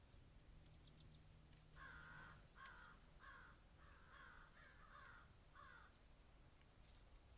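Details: Crows on a snowy day at a deck with birdseed and a trail cam, giving a run of six to seven hoarse caws in quick succession, while small birds add thin high chips throughout over faint low hum.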